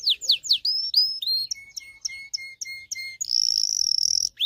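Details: Agitated canary singing, played to teach young males and prepare females for mating: a few swooping descending whistles, a series of short ringing notes at an even pace, then a sustained high, rapid buzzing trill.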